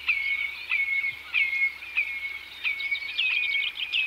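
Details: Common redshank (Tringa totanus) flight calls and song display from several birds: ringing, piping notes that slide down and level off, repeated about every half second to second in a steady chanting series.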